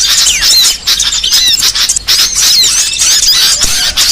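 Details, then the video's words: Trapping lure of small birds: busy high twittering from many callers, thin rising and falling whistles and sharp squeaky chirps. The burst briefly thins near the start of the second second, then resumes densely. "Suara paling ampuh pikat segala jenis burung kecil"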